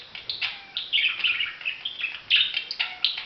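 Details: Busy budgerigar warble of quick chirps and short whistles that shift in pitch, with a few louder accented notes.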